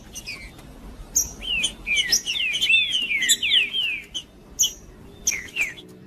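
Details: Green-winged saltator male singing hard to excite other birds: a dense, rapid tumbling sequence of overlapping falling whistles lasting about two seconds, framed by short high chips before and after.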